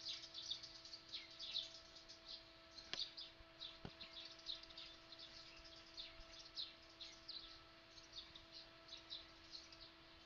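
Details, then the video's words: Small but loud birds calling: a busy stream of short, high chirps and tweets, many overlapping, with steady electrical hum and a couple of sharp clicks. "War ofthe Tweets1,small but loud"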